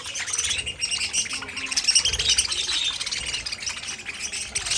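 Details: Pet parakeets in a colony cage warbling and chirping, many overlapping high squeaky notes forming a steady chatter that swells midway.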